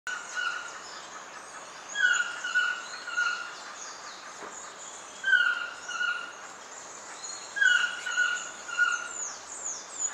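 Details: A Black-mandibled toucan (Ramphastos ambiguus) sings loud, yelping three-note phrases, each dropping slightly, about every two and a half seconds, over forest birds' chirps and trills; recorded in Pierella Ecological Garden, January–March.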